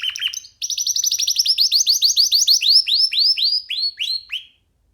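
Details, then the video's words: Canary singing freely on a hand: after a brief buzzy note, a fast rolling run of downward-sweeping whistles that slows toward the end before stopping. "Canary singing freely on sitting on d hand"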